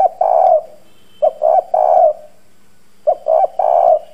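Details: Spotted dove kept as a lure, hoarse 'giọng đồng' voice, strong 'gù' coos to stir wild doves. Three close, low, throaty phrases of short and long coos, roughly every one and a half seconds, over a faint hum.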